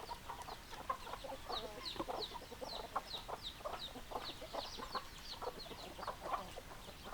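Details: A flock of hens making dense, repeated short clucks and sharp chirps, many birds overlapping steadily.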